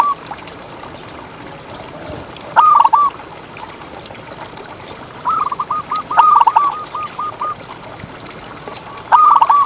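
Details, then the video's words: Zebra dove (perkutut), local contest bird used as a tutor recording to stimulate other doves; phrases of short rapid cooing notes near one pitch, a trilled roll of repeated notes around six seconds, phrases spaced a few seconds apart over faint background hiss. "Perkutut Juara Gacor Ngalas"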